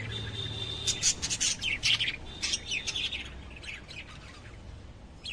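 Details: Lovebirds giving bursts of shrill, high chirps and short squawks, clustered in rapid runs for the first three seconds, then fading to quiet.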